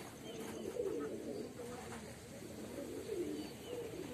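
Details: A male pigeon kept at home gives low, throaty cooing notes, rising and falling in soft rolling phrases.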